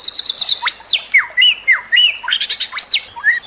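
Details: White-rumped shama singing as training material for other shamas, backed by nature sounds and trickling water: high steady whistled notes interrupted by sharp downward-then-upward swoops, repeated several times in quick succession.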